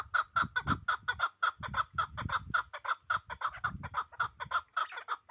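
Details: Chukar partridge from the Pamir, praised as the best chukar, giving a rapid series of sharp clucking chuck notes at roughly two per second, steady in pitch, with soft low thumps underneath.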